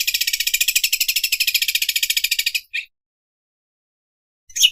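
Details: Rapid, machine-like rattling trill from a greater green leafbird imitating a sewing machine, lasting over two seconds before stopping, with one short buzz after it and another burst starting at the end.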